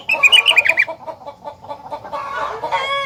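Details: Rengganis belting out song said to trigger answering song from other rengganis: a burst of high whistled notes, then a steady patter of short chattering notes and a rougher, noisier flurry at the end.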